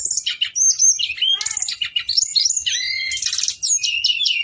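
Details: Brown-chested jungle flycatcher, male, singing a long rolling 'ngeroll' song: a dense, fast, varied run of high sweet whistles, trills and chirps, with brief buzzy notes, continuous with barely any pause.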